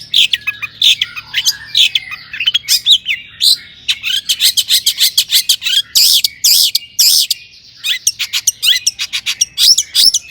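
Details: Vigorous singing by a long-tailed shrike, with imitations of other birds, intended as a lure for other shrikes: dense twittering and sharp chips, then loud harsh buzzy bursts, then quick chirps.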